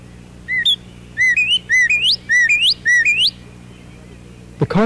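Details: A male northern cardinal sings from the top of a tall maple in spring, loud clear upslurred whistles ("pretty pretty pretty"), about five quick phrases half a second apart, then a brief harsh sound.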